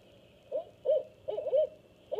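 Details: Barred owls, a female on the nest with two-week-old owlets and a hunting male, chanting to one another: a quick run of five low, rich hooting notes, some wavering and bunched together, over a faint steady hum.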